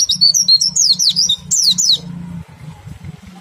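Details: Oriental white-eye, ngriwik-style twittering meant to stimulate other white-eyes to sing: two seconds of rapid, very high, zigzagging chirps, then only a low background hum.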